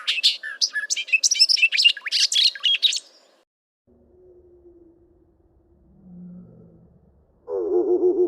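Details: Bobolink song: about three seconds of rapid, bubbly, jumbled high notes tumbling up and down, then near silence with faint low hums, and finally a deep, slowed-down warbling version of the song.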